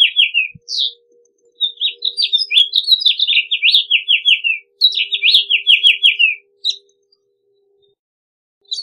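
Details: House finch singing: two long warbled phrases of rapid slurred notes that rise and fall, mostly high and sweet, with a faint low hum in the background.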